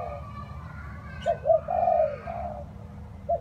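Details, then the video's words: Spotted dove in rainy, windy weather. A few low coos: two short notes, a longer wavering coo and a softer one, partly masked by a steady rumble and faint tonal background sounds. "Thời tiết mưa gió ace vào nghe cu gáy gù cả ngày"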